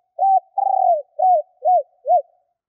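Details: Female spotted dove used as a decoy to attract males, giving one full phrase: brief coo, long quavering buzzy note, then three rounded, down-slurred coos at steady intervals, with nothing else audible.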